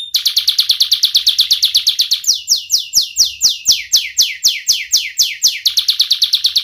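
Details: Young canary with a sharp voice, singing continuously as a lure to teach young canaries and stir lazy ones. Rapid repeated sweeping notes change pace midway into slower, broader descending strokes, then speed up again into a quick rattle.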